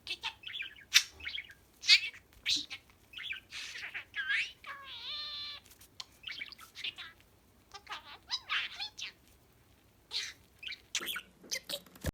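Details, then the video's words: Budgerigar kept as a pet, chattering for use in searching for a lost bird: rapid scratchy warbles, clicks and squeaky notes, with one longer tonal, mimic-like phrase midway, then more bursts of chatter. "鳴き声 《迷い鳥の捜索、おしゃべりが聞きたい方》"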